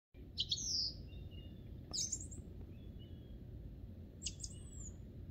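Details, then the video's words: Song thrush singing in spring on Monte Baldo, Trentino, Italy: a few separate bright, high whistled and scratchy phrases spaced out over several seconds, over a steady low rumble of background noise. "IL BELLISSIMO CANTO di PRIMAVERA del TORDO BOTTACCIO"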